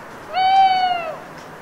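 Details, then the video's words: Owl chanting alone deep in the night, autumn woodland of the Cévennes foothills after rain, France: one clear, long hooting note with strong stacked harmonics, rising briefly then falling at its close, amid soft dripping ambience. "en Forêt la Nuit, après la Pluie, une Chouette"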